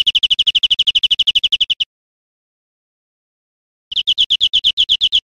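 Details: Greenfinch singing in Spain in 2013. A fast rattling trill of evenly spaced chirps runs nearly two seconds, stops in silence, then starts again at the same high pitch.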